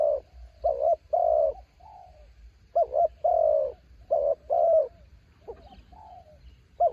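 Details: Spotted dove decoy bird, caught in the mountains, singing against strong wind: soft stuttered coos building into longer drawn coos, with quieter trailing notes between phrases.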